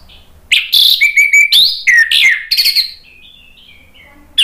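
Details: Orange-headed thrush belting out a fast, varied song used to provoke other birds: rapid harsh chirps and piercing slurred whistles packed into about two and a half seconds, ending in softer trailing notes.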